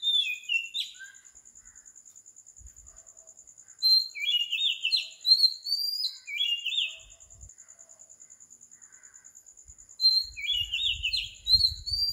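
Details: Oriental magpie-robin singing at 4 am on a tropical island in Sri Lanka: bursts of clear whistled phrases, stepped and sliding, separated by quiet gaps, with a steady high insect whine throughout.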